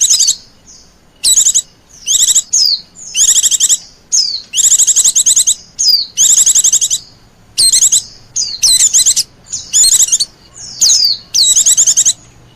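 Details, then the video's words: Oriental white-eye call meant to attract wild birds, a long series of high rapid trilled bursts and falling whistles, delivered in quick succession. "suara pikat burung pleci liar paling ampuh sejagad raya"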